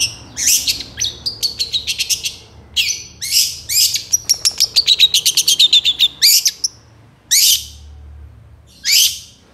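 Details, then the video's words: Long-tailed shrike (cendet) singing a long energetic phrase used to tutor songbirds: sharp high chips, a fast rattling trill of evenly spaced notes, then isolated loud piercing notes after pauses. "SUARA CENDET GACOR DOR FULL ISIAN TEMBAKAN COCOK BUAT MASTERAN BURUNG KICAU APAPUN"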